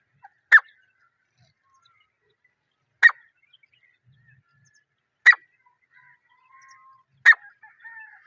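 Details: Jungle partridge (teetar) in the wild, natural recording without editing: four loud, clipped, harsh call notes spaced roughly two to three seconds apart over a quiet background with faint twittering of other birds.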